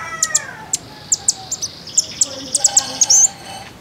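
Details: Common iora, a lure meant to make untrained captive ioras sing: crisp, very high ticking chirps spaced irregularly, closing with a brief buzzy trill over a faint steady tone.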